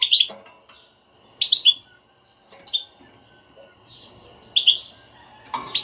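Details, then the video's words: European goldfinch twittering 'batbata' song, used to stir a silent kept goldfinch into singing; short bright chirpy bursts of several quick notes, spaced about one to two seconds apart, with quiet gaps between. "حسونك لا يغرد أسمعه هاته البتبتة وشاهد النتيجة"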